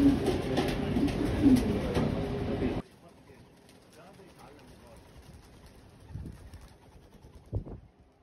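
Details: A newly raised batch of young homing pigeons gives low, throaty coos for the first three seconds over a loud rumbling background, then near quiet with a few soft thumps.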